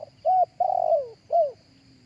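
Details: Live cooing of a spotted dove, recorded for playback through a speaker to attract other doves: a clipped note, a rounded hoarse coo, a long descending coo, then one more arched coo, with steady faint background hum.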